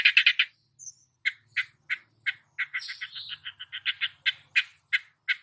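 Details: Long-tailed shrike (cendet) copying songbird calls, recorded as a training song: a quick cluster of scratchy notes, a brief high whistle, then spaced squawky chirps that speed into a rapid stutter before slowing again.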